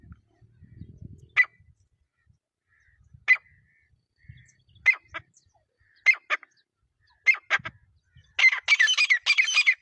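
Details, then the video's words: Partridges fighting. Single sharp, loud notes come every second or two over low rustling and thumping, then build into a dense, harsh chattering burst at the end. "Teetar Fight 2026 | Zabardast Teetar Ladai"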